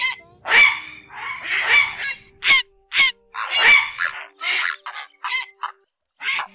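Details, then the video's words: Grey heron flock-calling lure recording for night net trapping of migrating birds, August 2024: harsh, broadband croaking calls, about one burst every two seconds, fairly irregular, with no other clear sounds. "Tiếng Diệc Gọi Bầy ÉT ỌC ỌC"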